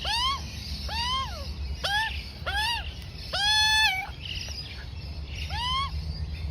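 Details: Juvenile Australian magpie, a female about four to five months old, being fed by its mother; arched buzzy squawks repeated about every second, one longer drawn-out wail midway, low background hum.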